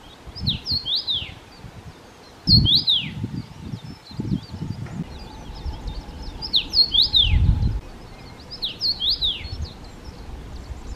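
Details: Common rosefinch (Carpodacus erythrinus) among Czech birds sings four short, slurred whistled phrases with rising and falling notes, repeated every two to three seconds, over low rumbling wind noise.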